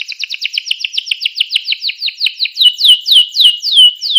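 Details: Canary song used to stimulate other canaries to sing: a fast run of repeated chirps about five per second, then slower, louder downward-sweeping whistled notes, clean with no background noise.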